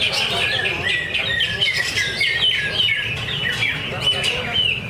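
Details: Greater green leafbird (cucak ijo), a caged bird competing in a practice singing contest at Danau Bumi Restu, Cikunir, delivers a rapid, continuous stream of chattering, slurred whistled notes with quick upward and downward sweeps, over steady broadband crowd and background noise.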